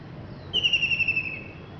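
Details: Common kingfisher in Penang on 24 Dec 2020 gives a single shrill, thin whistle, held for nearly a second and falling slightly at the end, over faint background hiss.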